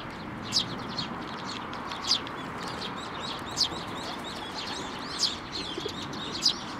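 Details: Sparrows landing on a hand to take food at a Tenmangu shrine on 19 May 2024; single bright, high chirps roughly every one to one and a half seconds over a steady wash of background noise.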